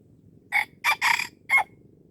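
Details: A wild red junglefowl being lured at Darul Kamal in Aceh gives a crow of four loud, harsh bursts. The first three come in quick succession, followed by a short final note, with quiet background between them.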